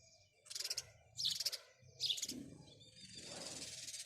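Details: Three sharp sparrow chirps in quick succession, then a rising hiss of broadband noise over a low rumble.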